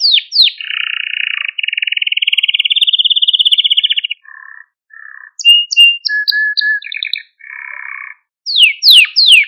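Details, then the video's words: Male Maltese canary singing to stimulate other canaries and train young birds: long rapid trills held near one pitch, a slow rising rattle, short whistled notes and falling slurred sweeps in varied tours, with brief pauses between phrases. "Etkileyici Malta Kanarya Ötüşü Ve Erkek Kanarya Sesi"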